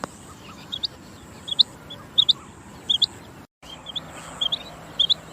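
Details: Rain quail giving high, sharp doubled notes, each pair quickly repeated, about eight pairs in five seconds, against a low steady background hiss.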